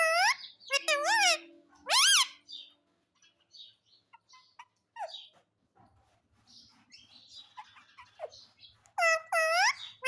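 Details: Pet parrot in a happy mood, giving loud, ringing squawks that rise and fall, clustered in the first two seconds and again near the end. Quieter chatter and clicks fill the middle, with a faint low hum in the background.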